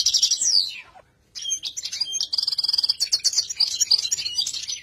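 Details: European goldfinch song: a descending twittering slur, a brief silence, then a long run of rapid, bright, liquid trills and tinkling high notes.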